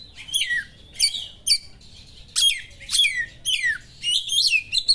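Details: Oriental magpie-robin giving sharp small-bird-style material to rouse another magpie-robin: separate bursts of high notes that drop steeply, each one a quick cascade of downslurred whistles, repeated roughly every half second to second.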